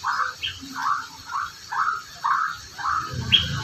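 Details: Magpie-robin repeating a short, slightly hoarse note about every half second, six times, then a sharp high whistle, with low rumbling noise underneath.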